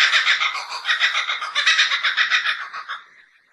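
A laughing kookaburra gives a harsh, cackling series of rapid pulses, about four a second, that fades out after three seconds.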